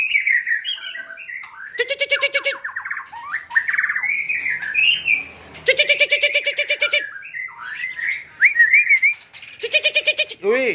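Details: White-rumped shama from Cot Goh, Bireuen, Aceh, Indonesia, alternating fluid whistled and warbled phrases with several long, harsh, buzzy rattles, loud and rhythmic, plus a few squeaky upslurred notes near the end.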